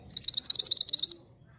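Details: Orange mantenan bird chirping as a tutor recording for white-rumped shama: about nine sharp, high arched notes in quick, even succession lasting about one second.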